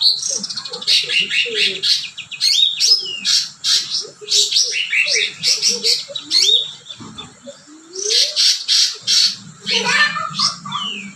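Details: Cucak ranting in lively full song filled with imitated cotton-bird phrases: dense bursts of sharp chirps and trills, fast rattling notes and short whistled slurs, with quieter background calls.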